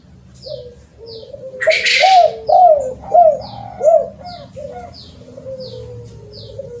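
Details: Spotted dove coos recorded as a lure: a brief rustle, then a string of five arched cooing notes and a trailing soft coo. Short high chirps repeat rhythmically throughout.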